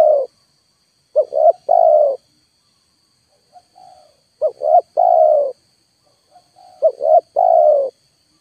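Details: Spotted dove call used as a trapping lure, turned up full with no wild bird descending: repeated phrases of two clipped coos and one long sliding coo, a quiet low note between phrases, and a thin constant background tone.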